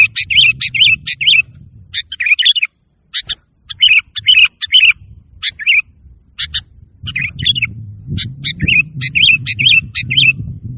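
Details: Sooty-headed bulbul song used to prompt reluctant caged birds to sing and as a lure: bursts of bright chirpy notes repeated about twice a second, broken by short pauses, over low rumbling background noise.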